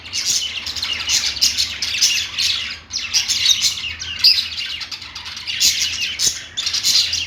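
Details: Several budgerigars chirping on a perch: bright chattering song of quick tweets and rough squawks in bursts, with a brief lull near the middle.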